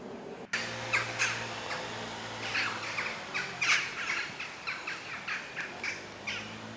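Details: Western jackdaws flying in a large group at sunset toward roosting trees near a shopping center in The Hague, Netherlands, October; short harsh chack calls from many birds, scattered and overlapping, over a low steady engine hum.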